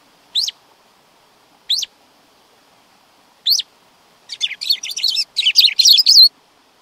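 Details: Black-throated grosbeak giving three single sharp upslurred call notes spaced over three seconds, then breaking into a two-second run of fast warbled whistled song.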